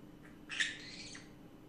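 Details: A single drawn-out, grating squawk from a pet green-cheeked conure during its afternoon rant, preceded by a soft faint note, with low background hum.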